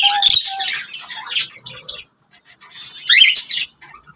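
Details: Lovebirds chirp in two loud bursts of harsh squeaky notes with short whistles, separated by a near-silent pause of about a second.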